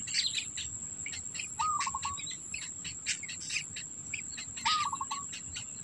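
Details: Black bittern at its nest with food held for its young; two brief calls about three seconds apart, each a level tone then a quick stutter, amid loud insect chirps and a continuous high whine.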